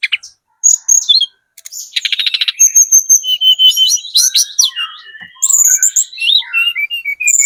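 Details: Speckled Sunda robin in full, very vocal song, used as a lure to make other birds answer: varied high whistles and chirps, buzzy trilled bursts, sliding notes and rapid twittering runs, with a short pause near the start.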